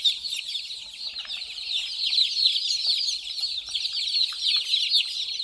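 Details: Many baby chicks calling together while playing and drinking, rapid high peeps, about four per second, merging into a loud continuous twittering chorus.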